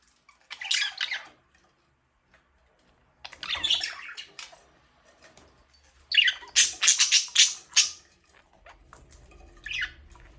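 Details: Budgie chirping indoors: scattered bursts of scratchy high chirps, building to a fast run of loud rapid chirps near the end.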